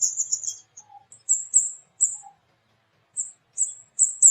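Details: Flowerpecker calls, known as kemade or cabai, used as a lure to set other flowerpeckers singing: very high, thin 'cit' notes in short bursts, with a few lower soft chirps and silent gaps.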